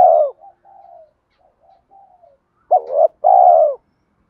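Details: Spotted dove giving the fighting coo used to lure wild doves to a trap: a long rolling coo, a run of soft murmuring notes, then a sharp double note and another long coo.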